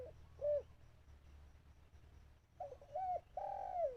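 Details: Caged decoy dove cooing to draw in wild birds: one soft hooted note, a pause, then a quick series of mellow coos ending in a longer drawn-out, slightly falling coo over faint low hum.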